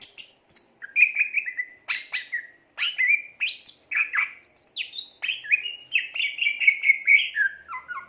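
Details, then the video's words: A Greater green leafbird sings vigorously (gacor), pouring out varied whistles, sharp clicks and fast chattering trills in quick succession, with a brief pause in the middle. "burung cucak ijo gacor"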